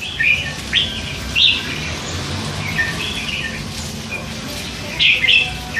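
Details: Red-whiskered bulbul, hand-fed youngster of three months, chattering; a few scattered whistled notes early on, a long quieter stretch, then a brief double burst of warbling near the end.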